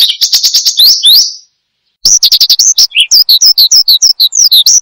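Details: Oriental skylark (branjangan) song for luring and tutoring caged birds: a quick buzzy trill, a pause, then a string of sharp high rising and falling chirps repeated rapidly.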